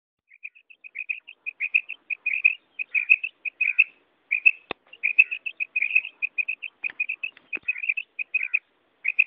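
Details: Female quail (batair), its call described locally as karak: dense runs of short, bright chirping notes at mid-high pitch, closely spaced and slightly overlapping, with a few sharp clicks in between.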